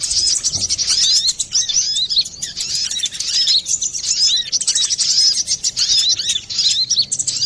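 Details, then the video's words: A brown-throated sunbird sings busily and clearly, a recording used to lure or train birds; a continuous stream of thin, high, rapid twitters and quick trills with barely any break. "Pancingan burung Kolibri Klapa ribut,suara jerni"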